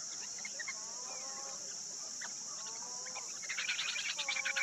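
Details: Short-billed dowitcher recorded at close range at St. Mary's, Ontario, on 20 August 2022. Scattered soft notes lead into a rapid run of sharp, stuttering calls, all over a constant high insect buzz.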